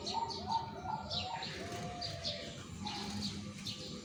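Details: Zebra dove being selected for a singing contest, giving a run of short, low, quickly repeated cooing notes followed by a longer drawn-out coo, while other birds chirp and twitter higher above throughout.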